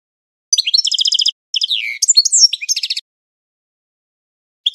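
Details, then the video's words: Classic training song of a European goldfinch, a rapid series of high tinkling trills and buzzy chirps, with a slurred downward note in the middle, ending abruptly. "Goldfinch 12h Training Song - Amazing Classic Singing"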